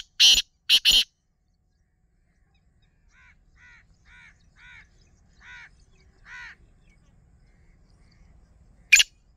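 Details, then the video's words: A black francolin calls: three loud, harsh, grating notes open it, one more sounds near the end, and softer repeated chirps come in between. "kala Teetar ki awaz - Black francolin - teetar voice - black teetar ki awaz"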